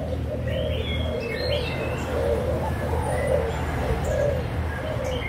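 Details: Young caged spotted doves of Malaysian and Thai lines, 24 June 2021, cooing together in a dense, steady chorus of low rounded notes, while thin chirps from other birds sound intermittently overhead.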